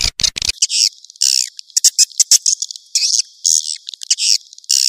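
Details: Swiftlet lure call used to attract swiftlets to a nesting house: loud, high, buzzy chirping bursts in irregular rapid runs, with sharp clicks near the start.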